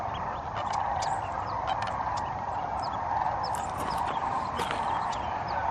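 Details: Flock of sandhill cranes calling at the main roosting site, Pixley National Wildlife Refuge, California. An unbroken wall of distant rattling calls, with short higher chirps and squeaks from other birds scattered over it.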